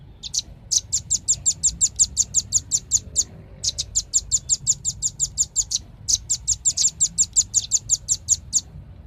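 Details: Velvet-fronted nuthatch giving three long trills of sharp, high chip notes at a quick even tempo, with short pauses between them.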